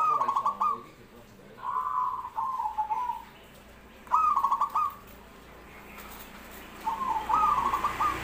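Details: Zebra dove cooing: repeated soft, staccato phrases of short stuttered notes running into brief rolling trills, given about every two to three seconds over a steady low background hum.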